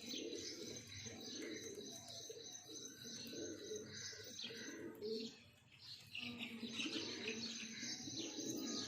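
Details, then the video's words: A breeding pair of pigeons: low, throaty cooing repeats through the recording with a short quiet gap in the middle, over steady high chirping and twittering from other small birds. "Breeding pair pigeon"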